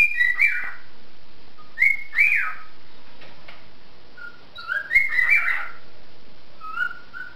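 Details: A pet cockatiel whistles a rhythmic tune of rising and warbling phrases, wolf whistles and a wailing motif, in a duet with a pet canary, each listening and reacting to the other.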